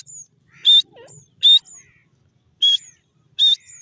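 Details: Jungle teetar (grey francolin) calling with four loud, strident, harsh notes spaced under a second apart, each followed by a thin high whistle-like trail, over a faint low rumble.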